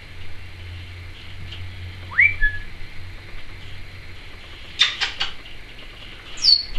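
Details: Pet Timneh African grey parrot indoors, a talking bird known for saying trick or treat; three separate whistled notes, sharply rising and falling sweeps spaced a couple of seconds apart over a steady background hum.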